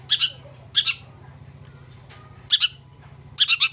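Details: Long-tailed shrike giving loud, harsh grating bursts of two or three quick notes at irregular gaps, over a low constant hum.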